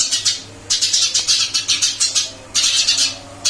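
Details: Eurasian tree sparrow in its new cage chirping briskly: repeated shrill, scratchy notes in two fast runs separated by a short pause.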